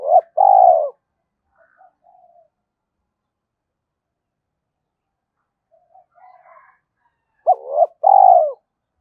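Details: Spotted dove used as a decoy, cooing loudly. One phrase opens the recording and another comes near the end after a long quiet gap. Each is a brief doubled note followed by a drawn-out mellow coo, with faint murmurs between.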